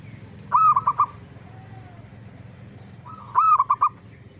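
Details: Zebra dove (perkutut) song used as a lure to make other zebra doves answer: two phrases, each a mellow low coo followed by three or four quick, clipped cooing notes, about three seconds apart over a faint low hum.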